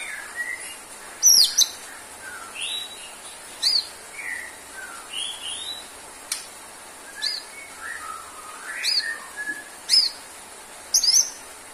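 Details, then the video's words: White-rumped shama singing at a relaxed pace: separate short phrases of high, sharp notes and mellow slurred whistles, spaced a second or more apart, against a faint background hiss. "MURAI GACOR!!~TERAPI UNTUK MURAI BATU YANG KURANG STAMINA ATAU NGEDROP"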